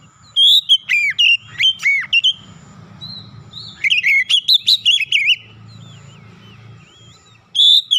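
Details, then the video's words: Clear song of an Oriental magpie-robin used as a lure so other birds join in: groups of loud, sharply slurred whistles repeated in clusters, separated by quieter gaps with a low background rumble. "kicauan jernih Kacer pemikat | KACER macet bunyi langsung ikutan gacor"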